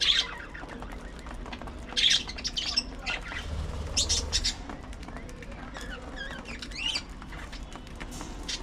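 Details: Budgies in the early morning at feeding time: a few sharp chirps early on, then a soft, wavering warble of rising and falling notes near the end, with faint rustling and wing sounds.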